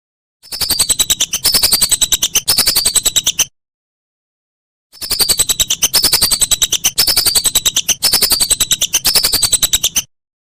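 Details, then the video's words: Whistling duck calling, used as a master recording for training songbirds: two long runs of rapid, shrill whistled notes, about three and five seconds, with falling slurs recurring roughly once a second, separated by silence. "Masteran Burung Belibis"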